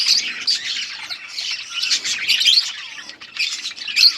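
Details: Colony of budgerigars chirping while eating: dense overlapping warbles, squeaks and chatter, high and busy, with short bursts and brief lulls throughout.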